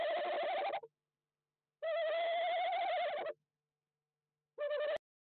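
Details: Tawny Owl inspecting a nest box on 18 January 2021, recorded very close. Loud, harsh, quavering calls come in three bursts of about one and a half seconds each, separated by silence, ending with a sharp click.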